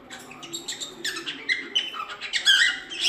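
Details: Cockatiel giving a jumbled, squeaky warble of short chirps and whistled slides that grows louder toward the end, over a low murmuring background.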